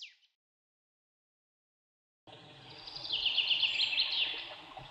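A White-whiskered laughingthrush gives a quick run of high, thin notes, about four a second, over a steady hiss of background noise after a brief chirp.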